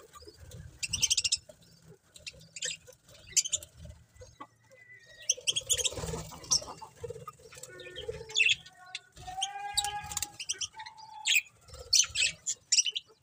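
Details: Several pet budgerigars chattering: a dense run of short, bright chirps and warbled notes with a few longer harmonic whistles in the second half, plus soft rustling and wing flutters.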